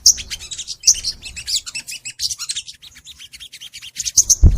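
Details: Crimson sunbird (sogon) singing for a master recording used to get kept sunbirds singing: rapid high chirps and twitters, ending with a low thump.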